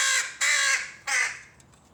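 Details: A rook chick begs insistently from its mother, giving three loud, rasping, drawn-out calls within two seconds, each harsh and broad with strong harmonics, separated by brief pauses.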